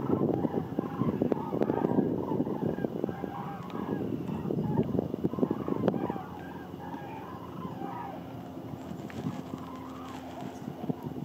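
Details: Flock of common cranes migrating south over Landgraaf, Netherlands, on 13 November 2022 gives overlapping, rolling trumpet calls over a steady low rumble of wind or traffic that fades after six seconds.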